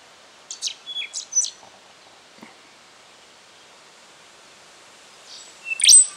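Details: Rufous songlark in Victoria, Australia, September 2011: a quick run of sharp, high chirps and a short whistle, a quiet gap with a few soft notes, then one loud ringing phrase with a high whistle.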